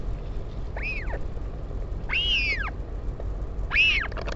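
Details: Northern royal albatross, parent visiting chick at the Taiaroa Head colony near Dunedin, New Zealand, 16 July 2019. Three rising-and-falling, mewing calls, the middle one longest, over low background wind noise.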